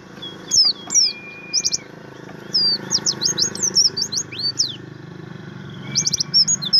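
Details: Kept Javan grey-throated white-eye delivering materi-type song: scattered high chirps, then a dense chattering run of rapid thin whistled notes, with a steady held tone in the background.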